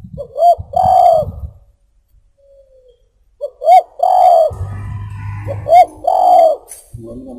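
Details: Spotted dove (tekukur) cooing song used to lure birds: three phrases of two quick coos and one long wavering coo, with a low hum beneath the later phrases.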